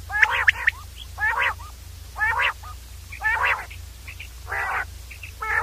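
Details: Common quail (batir) uttering harsh nasal grating calls spaced about a second apart, each followed by a clipped high note, with a constant low hum behind.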